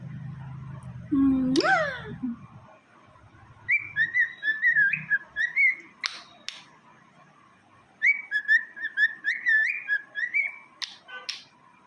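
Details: A grey pet cockatiel whistles two warbling, wavering phrases, each repeated with quick up-and-down turns.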